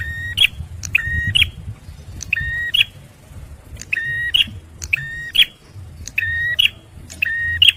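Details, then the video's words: Male bar-winged prinia used to lure birds and rouse stressed ones, repeating a clicked start, flat held whistle and sharp rising end note roughly once per second, against a low murmuring background. "TEMBAKAN PRENJAK MERAH JANTAN || CIBLEK SUPER GACOR"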